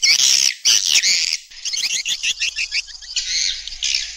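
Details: Swiftlet calling and roosting sounds in stereo: dense, high buzzy chirps, first in long loud bursts, then a quicker string of short chittering notes with brief gaps.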